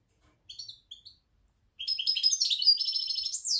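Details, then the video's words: European goldfinch, jilguero parva, October: two short twittered notes, a pause, then a lively rush of rapid chirps and buzzy trills that runs on to the end. "Jilguero parva"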